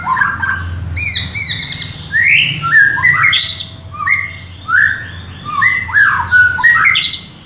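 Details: Oriental magpie-robin song played to stimulate a captive bird to sing and become agitated: loud varied phrases of rising and falling whistles, sharp chirps and rapid trills, with a low background rumble.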